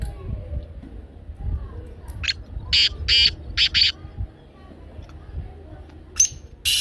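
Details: Grating black francolin notes come in a burst of four or five harsh syllables, then two more after a pause of about two seconds, over low rumbling background noise.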